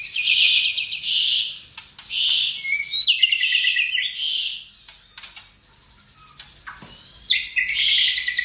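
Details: ['Loud song of a caged white-rumped shama, its repertoire filled with cililin, jenggot and kapas tembak imitations. Dense, buzzy, harmonic phrases repeat roughly every second, then give way to scattered clicks and a thin whistle before strong buzzy phrases return.']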